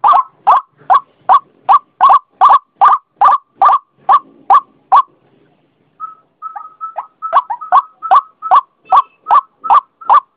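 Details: White-breasted waterhen calling as a lure sound: a loud series of harsh, clipped notes near one pitch, about two and a half per second. The series pauses for about a second midway, then resumes with doubled notes.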